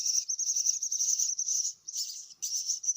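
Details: Young myna chicks begging while being fed: a sustained, high-pitched wavering squeal that breaks off briefly and resumes.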